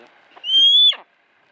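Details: Captive female hawk kept in a home, recorded on a compact camera, giving one clear, thin, drawn-out whistled cry of about half a second that rises slightly and ends with a short rough tail.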